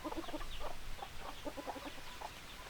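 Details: Chickens clucking close by, rapid clipped clucks in quick runs with a few sharper squawks over a low background rumble.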